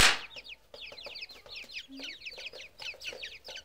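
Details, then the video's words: Chorus of grey francolin chicks giving rapid, high, downward-slurred peeps in quick overlapping series, with a brief low hum and a loud thump at the start. "teetar k bacche ki awaaz"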